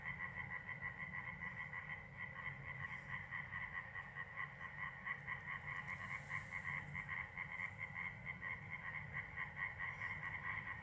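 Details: A corn crake at night, recorded from an attic window at the southern edge of Iński Landscape Park, calling for a third day: a dry, rasping double call, roughly two rasps a second, steady and unbroken.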